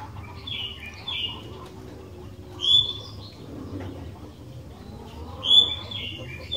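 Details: Sooty-headed bulbul song used as a lure to set other bulbuls singing: brief bright whistled notes, slightly rising, in two short bursts a few seconds apart, over a low steady background hum.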